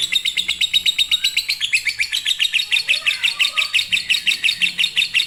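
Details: Lovebird in fighter style, a tutor song for lazy singers: evenly paced, scratchy high chirps of about two a second, with faint lower twittering underneath.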